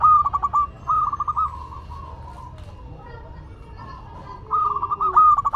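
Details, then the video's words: Local Madura perkutut (zebra dove) song: rapid pulsed cooing phrases at the start and end, separated by quieter soft coos and faint other calls. "Perkutut Lokal Madura Gacor"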